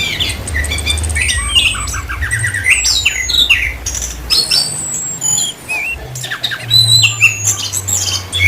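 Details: Orange-headed thrush in full gacor song, Indonesia. A busy string of fast chirps, trills and swooping high whistles, with a brief wavy note midway and a faint low hum underneath.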